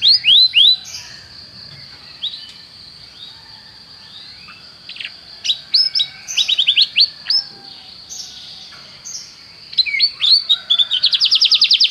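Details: Canary song as tutor material for song training: quieter, varied chirps and short sweeping notes scattered over soft low background noise, ending in a fast bright trill.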